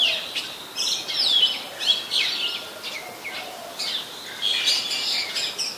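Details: Oriental magpie-robin in Ubon Ratchathani, Thailand, on 24 December 2020, sings a varied run of sweet, high whistles and quick chirps, some rising and some falling, with short pauses between phrases.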